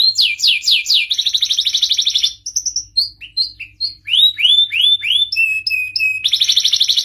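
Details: Agitated canary song played to spur males to mate and sing: repeated upward-sweeping notes, a rapid trill, scattered chirps, a run of swooping slurs, a flat whistled series and a final fast roll.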